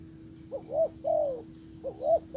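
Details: Decoy spotted dove calling to draw in a wild bird: soft, mellow coos, a quick rising double note, then a drawn-out falling croo, with a new phrase starting near the end over a constant low hum.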